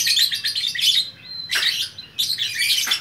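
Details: Lovebird in Bukittinggi, West Sumatra, producing loud, rasping chatter in three bursts, with a brief descending squeak and short pauses between them.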